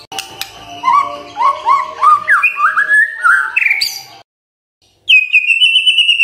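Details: Morning lure song of a white-rumped shama, intended to make silent birds sing: a long climbing series of whistled slurs, a brief silence, then a steady high trill.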